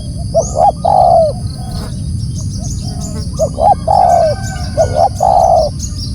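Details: Spotted dove calling loudly: two phrases, each two short rising notes and then a longer, slightly falling coo. Steady low rumble and faint high chirps behind.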